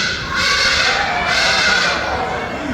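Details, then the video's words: Hadada ibises at a bird show in a large echoing space give two loud, harsh, braying bursts, the raucous 'ha-ha-de-dah' call that gives them their name. "Their call sounds like Hadada, which is their actual name."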